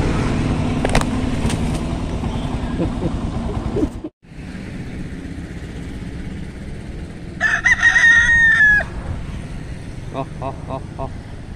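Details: White Leghorn rooster, one of three kept for breeding, gives a single loud crow of about one and a half seconds, with a strained, drawn-out ending, over a steady roar of traffic and vehicle noise.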